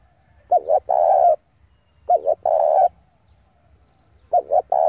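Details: Spotted dove acting as a decoy to call rivals to a fight repeats a phrase about every two seconds: two quick wavering notes followed by a long, steady coo.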